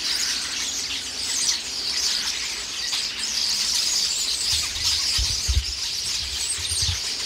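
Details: Flock of common starlings squabbling loudly in a pear tree while pecking the fruit; a dense, continuous chatter of high squeals and whistles, with a few low thumps near the end. Filmed on a Sony FDR-AX100 or GoPro Hero7.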